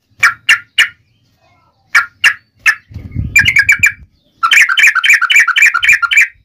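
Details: Provoking fight song of a yellow-vented bulbul, meant to make other bulbuls respond: a few spaced liquid whistles, then fast chattering bursts of bubbly notes, with a brief low rumble in the middle.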